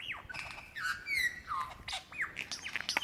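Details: Male lyrebird calling for a female to mate, Dandenong Ranges National Park, Victoria, Australia, February 2016: a fast, varied medley of loud ringing whistles, sharp downslurred notes and buzzy chips, switching every half second; it also mimics a kookaburra.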